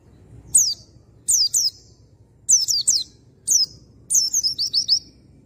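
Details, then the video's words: Oriental white-eye recording used as a lure to make a male sing loudly: very high, thin, sharply descending squeaky notes given in pairs and singles about every second, ending in a fast run of five twittering notes, over a quiet low hum. "PANCINGAN PLECI AMPUH !!! Bikin pleci bahan jantan cepat NGALAS NEMBAK BUKA PARUH"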